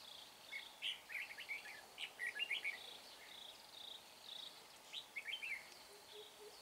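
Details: Decoy red-whiskered bulbul singing during trapping at Chùa Hương. Lively bursts of sharp, rapid warbled chirps, grouped in phrases of several notes, come with short pauses between them, and quieter birds call in the background.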